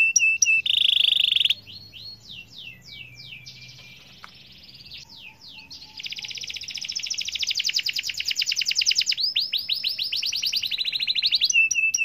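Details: Atlantic canary singing a long rolling song to encourage other canaries to join in; scattered softer whistles and slurs first, then a sustained rapid, rising-in-volume trill of high pulsed notes.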